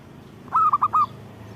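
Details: Close zebra dove phrase of four quick, bright cooing notes, the first slightly longer, over a low background hum.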